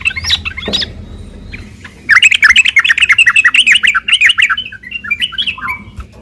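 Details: Yellow-vented bulbul in combative song, meant to stir other bulbuls into calling back; after some sharp opening notes, a long, loud stream of rapid, rattling chatter with up-and-down pitch carries on for about four seconds.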